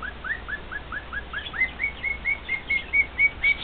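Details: Male cockatiel serenading two companion cockatiels: rising whistled notes at about four per second, shifting into steadier, louder level whistles toward the end.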